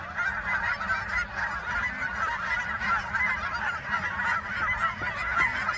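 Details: Geese being chased and taking off, many birds honking at once in a continuous, dense, raucous chorus with no pauses.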